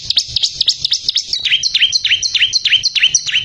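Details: Bar-winged prinia singing in a training recording for caged songbirds: about thirteen high chirps at roughly four per second, first sharp V-shaped notes, then longer notes sliding steeply downward.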